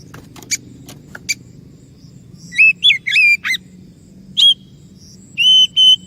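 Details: Song of an Oriental magpie-robin as a lure: scattered clicks at first, then rapid curling whistled phrases, a sharp chip, and steady drawn-out whistles at the end.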